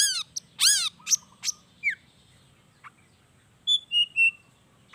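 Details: Energetic long-tailed shrike song packed with imitated wild-bird notes, played to coax quiet shrikes into answering: bright downward-sweeping whistles and squeaks, a pause, then three clear high piping notes in quick succession.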